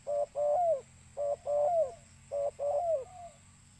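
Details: Spotted dove cooing, used to call in birds: three quick phrases, each a brief clipped note then a drawn-out, wavering coo that slides downward, repeated about once a second over a faint steady hum.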